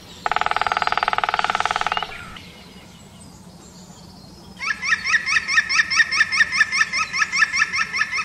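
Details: European green woodpecker giving a harsh, fast-pulsed buzz for under two seconds, then after a short hush a long run of clear, ringing notes repeated evenly at roughly two to three per second.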